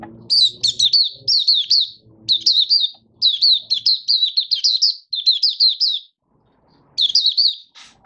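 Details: Caged Malaysian Oriental white-eye (mata puteh) in 'buka sing' opening song, 1 August 2023, while out of form: long chains of rapid, high, downslurred chirps in steady rhythmic bursts, with a short pause before a final run.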